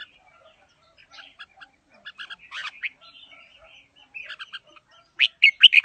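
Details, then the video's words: Red-whiskered bulbul, a fighting bird, singing in a forest style: soft rapid twittering phrases that lead into a loud closing series of clear, rolling whistles. "Chào Mào Đá Lân Bộ Khủng Hót Giọng Rừng Hay"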